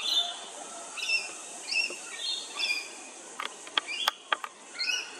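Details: Rainbow lorikeets at Hervey Bay, Queensland give short, high chirps and sharp, scratchy screech bursts in quick succession. Faint background noise runs throughout.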